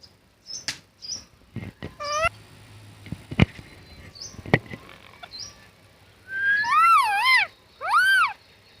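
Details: Talking parrot: scattered clicks and taps first, then two loud, wavering, harmonic squawks near the end.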